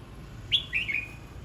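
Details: Red-whiskered bulbul practising its song: a crisp high note, a brief pause, then a slurred falling warble, heard once over a faint hum.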